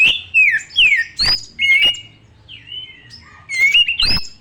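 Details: White-rumped shama (kacer) in loud varied song: clear whistled slurs, some falling and some rising, mixed with sharp chips and brief buzzy notes, delivered in quick bursts with short pauses.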